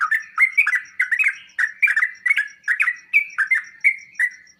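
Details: Sooty-headed bulbul song used to make other birds answer: bright whistled notes around mid pitch, each with a sharp click, rapidly repeated in bubbly phrases; a faint steady ticking runs throughout.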